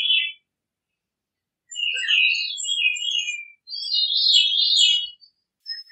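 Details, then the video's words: Veery song with a brief opening note, a gap, then two long phrases of tumbling fluty notes. These sit in a high band with occasional sharp upper accents. A quiet setting with no other sound. "Veery Bird Song, Sound, Call, Chirp, Melody - Zorzalito Rojizo Canto - Catharus Fuscescens"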